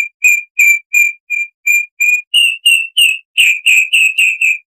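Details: Chalk-browed mockingbird tutor recording for cage birds: a steady series of short, clear, slightly buzzy notes, roughly three per second, growing louder and harsher toward the end.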